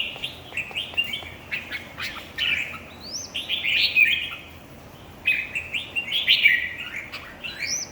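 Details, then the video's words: Red-whiskered bulbuls competing in song: rapid series of whistled, upward-sweeping phrases, a quieter gap around five seconds, then another rich, warbling burst with overlapping notes. "chào mào thi đấu 3"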